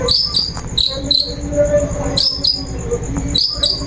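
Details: Long-tailed shrike lure song used to set a bird singing: loud, high, falling whistled notes in pairs, separated by short pauses, with a soft low murmur between the pairs.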